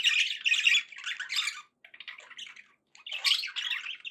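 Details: Budgerigars kept as pets warble in loud harsh chatter, fading to softer scattered notes in the middle with a gap, then resuming a bright squawking burst.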